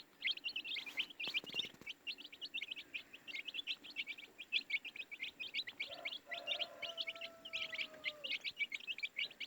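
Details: Several baby chicks peep nonstop, shrill short notes tumbling over one another in quick succession, with a faint sustained hum near the end and brief rustling early on.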